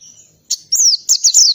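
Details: Oriental white-eye in the lively ngalas song style with canary-like volleys, used as tutor audio: one soft high note, then bright, high, downward-slurred whistled phrases in quick bursts, a short gap between groups.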